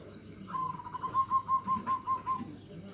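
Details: Local zebra dove in the 'nutut' song style, used as a lure to provoke rival birds: a fast series of about eight pulsed, even whistled coos on one steady pitch after a short lead-in note, over a quiet noisy background.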